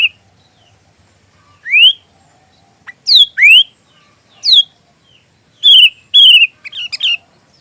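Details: Sooty-headed bulbul (kutilang) giving song for training a magpie robin: loud rising swept whistles spaced a second or so apart, then several flat ringing whistles and a quick jumbled phrase near the end.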